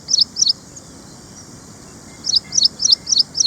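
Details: Ashy Prinia, a small songbird common in gardens and farmland in India, giving high, clipped double-noted chirps in quick succession, two at the start, a pause, then a run of five more; faint low background noise.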